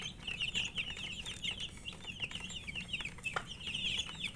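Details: Poultry chicks calling out of thirst for water: many high-pitched peeps overlap in a steady, busy chorus, with one brief sharp click partway through.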